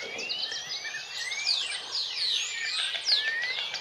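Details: Bee-eaters in Extremadura giving a steady flow of rolling, slurred calls, with rising and falling glides crossing one another; several birds overlap throughout and the chorus swells slightly near the end.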